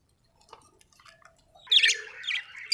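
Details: Budgies: after a second and a half of faint scattered ticks, a sudden loud burst of harsh, scratchy squawks, followed by two shorter chirpy squawks.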